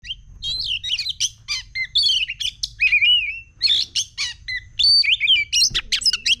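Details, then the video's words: Agitated oriental magpie-robin, probably caged, in a fast, varied outburst of loud whistles, sliding notes and sharp chattering bursts with barely a pause, above a faint low hum. "SUARA KACER CEPAT EMOSI"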